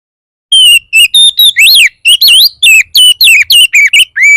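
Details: Oriental magpie-robin singing a lure song meant to trigger song in other magpie-robins: loud, varied whistles in quick succession, with falling and arched sweeps and zigzag slurs, closing on a rising steady note.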